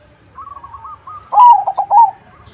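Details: Crossbred zebra dove singing to lure others into reply: a run of soft quick notes builds into a loud, slightly descending cooing phrase broken into rapid pulses.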